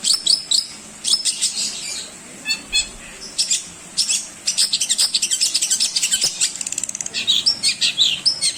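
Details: Long-tailed shrike, song played for other songbirds to learn, a busy stream of sharp high chips and scratchy notes, speeding into rapid rattled series in the second half.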